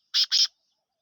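Black francolin giving two quick, harsh, grating notes in about a third of a second. No other sounds are heard.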